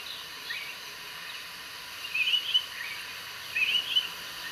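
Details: Yellow-browed bulbul (Acritillas indica) at preening time gives two brief bursts of high, chattering notes about a second and a half apart, over a steady background hiss.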